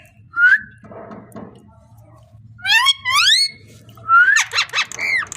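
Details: Parrot making a rising whistle, then a wavering harmonic warble, followed by quick rattling bursts and a final looping squeak.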